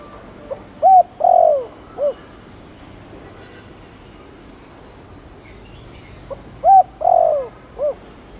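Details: Cooing of a Thổ Đồng spotted dove, chiêu plus gù, meant to stimulate other doves into cooing. Two phrases separated by a long silent gap: soft lead-in note, rounded coo, long sliding coo, short final coo.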